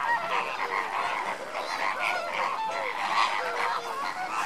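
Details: Lesser flamingo group during enrichment, a continuous babble of short nasal honks and chattering notes layered over each other, no single caller standing out, with a steady level throughout.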